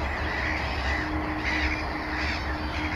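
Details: Mediterranean gulls calling in their colony at Montjean-sur-Loire, Maine-et-Loire (Sol de Loire), 12 May 2013, among black-headed gulls and common terns; a run of upslurred then downslurred mewing calls, irregularly spaced, with constant low murmur of the colony.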